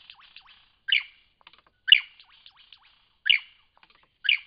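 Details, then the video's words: Lyrebird in Cape Liptrap Coastal Park: four bright, sharp ringing notes roughly a second apart, linked by soft buzzy trills and thin descending chips. "Lyrebirds in Cape Liptrap Coastal Park"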